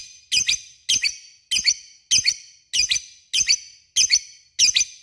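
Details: Lovebird calling an opponent, giving harsh, squeaky two-part calls repeated evenly about every two-thirds of a second, each a scratchy, high burst.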